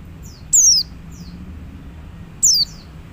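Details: Two piercing, downslurred whistles from a male Oriental white-eye calling to others of its kind, nearly two seconds apart, with a soft low rumble underneath.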